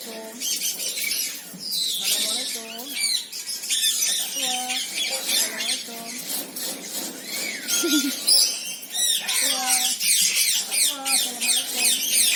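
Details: Red-breasted parakeets, also called moustached parakeets, give a dense run of harsh, rapid squawks and screeches, several birds calling over one another, with lower harmonic voice-like notes breaking in between.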